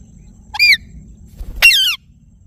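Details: Ringneck parrot calling twice: a short squeaky note followed a second later by a longer, harsh, wavering screech, harmonic-rich and loud, over faint low background rumble.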